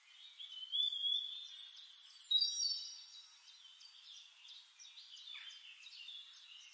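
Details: Several thin, high whistles from White-faced whistling ducks, long drawn-out notes overlapping early on, then shorter repeated whistles fading in loudness toward the end.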